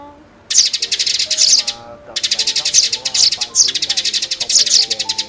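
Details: Sparrow lure recording for net and glue trapping: after a short lull, rapid runs of loud, scratchy chirps pulse several times a second, with music running underneath throughout.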